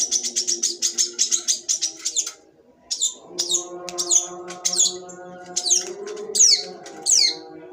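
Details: Sembur-style song of a long-tailed shrike: a fast run of about a dozen sharp, high ticking notes, a short pause, then varied scratchy, sliding phrases, with faint low humming tones behind.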